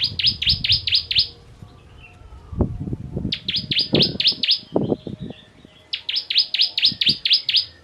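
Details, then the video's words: Bar-winged prinia of Ciblek Kristal type in 'tembakan pedas' song, used to train contest birds: three bursts of five to seven sharp, high down-slurred chips separated by pauses filled with low knocks and thuds. "Ciblek Kristal Tembakan Pedas Cocok Untuk Masteran Burung"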